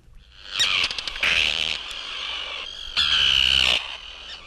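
Common Tern giving two harsh, drawn-out, grating 'kee-arr' calls about two seconds apart, high-pitched and scratchy, with a few sharper chattering notes between.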